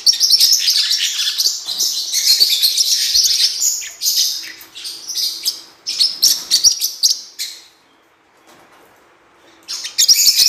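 Blue-winged parrotlets chatter in a dense run of high, sharp chirps and twitters, about four a second, going quiet briefly before a fresh burst.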